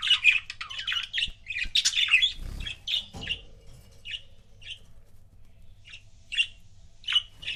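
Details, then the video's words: Pet budgerigar pairs indoors giving quick, bright chirps and short warbled notes in a dense burst, then spaced single tweets every half second to a second, with a soft low hum underneath. "CUTE BUDGIE COUPLES"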